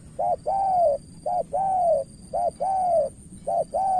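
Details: Decoy spotted dove from Cà Mau, Vietnam, vying with an experienced rival. Strong, rhythmic coos: a quick note followed by a longer falling note, repeated four times at an even pace.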